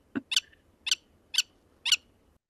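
A Willet gives four sharp, bright, high calls, evenly spaced about half a second apart, after a brief low thump at the start.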